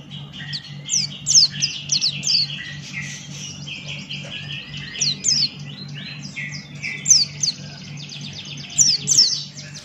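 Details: Sustained 'gacor' song of a male Buxton's white-eye. Dense, chattering, high-pitched twitters are broken by loud piercing downslurred chirps in groups of two or three every couple of seconds, over a soft steady hum.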